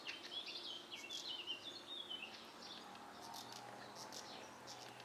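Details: Redstart with its young: a quick run of thin, high chirps and twittering notes over the first two seconds, then sparse, fainter high ticks against steady outdoor background noise.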